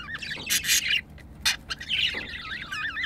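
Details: Pet budgerigars caught mating: sharp clicks and broadband bursts, followed by a wavering, looping whistled warble that rises and falls quickly.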